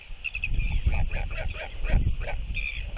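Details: Northern royal albatross pair greeting each other at the nest with skycalls to reaffirm their bond, as the female arrives while the male incubates their egg, 16 December 2023; honking, braying calls over steady wind rumble.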